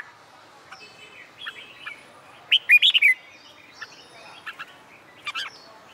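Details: Red-whiskered bulbul singing in summer heat during contest training, one loud fluty warbled phrase in the middle, surrounded by soft, scattered chirps and whistles.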